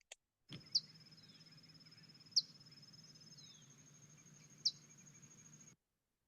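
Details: A rufous-collared sparrow in Chile gives calls rather than song: three short, sharp, high chips spaced about two seconds apart, over a thin steady high whine and a low hum.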